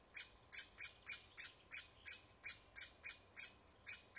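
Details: Woodpecker at the nest giving a quick series of rasping, high-pitched notes, roughly three per second, fairly regular and uninterrupted.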